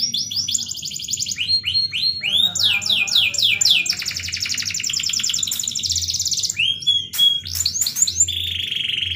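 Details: Canary in full, melodious cengkok-style song: fast rattling trills, a run of slurred rising notes, an extended buzzy roll, then sharp chips and a steady high whistle, over a low background hum.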